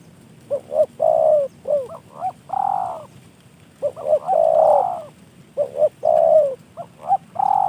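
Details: Spotted dove, trained and gifted by a fellow hobbyist, coos in rapid overlapping phrases of short hoots and long drawn coos, repeated three times in quick succession.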